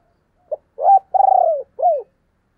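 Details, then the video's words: A single spotted dove calling phrase: a brief opening note, a low coo, a longer purring, quavering coo that slides slightly downward, then a final falling coo, all clear and close. "tiếng cu gáy/ thúc + gáy gọi mới nhất 2022"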